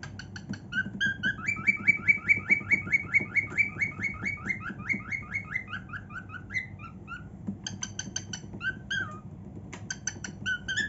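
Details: Happy singing from a pet female cockatiel in her room: a long run of rapid, evenly spaced whistled notes forming a rolling trill, broken by short pauses and bursts of chirps.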